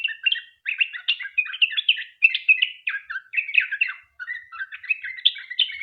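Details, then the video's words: Sooty-headed bulbul singing a long, rapid continuous song used as a lure to prompt other bulbuls to sing. Dense bubbly chattering notes run almost without pause, with brief gaps near one and four seconds. "Trucuk gacor ROPEL PANJANG buat pancingan trucukan agar bunyi"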